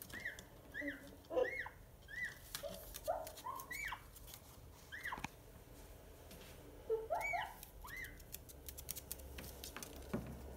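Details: Pet Indian ringneck (rose-ringed) parakeet indoors: short arched, harmonic whistled calls in quick runs during the first three seconds, then another burst near seven seconds, with clicks and low room noise between.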